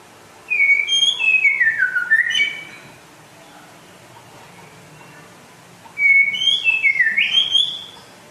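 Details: White-rumped shama from West Aceh, described as rare and in full song, delivering two whistled phrases several seconds apart, each a descending run of warbled notes ending in a rising flourish, with quiet gaps between.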